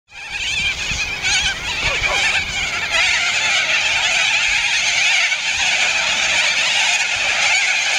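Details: Thousands of corellas in a suburb of Andrews Farm, north Adelaide, fill the air with a continuous wall of harsh, screeching squawks, overlapping without pause.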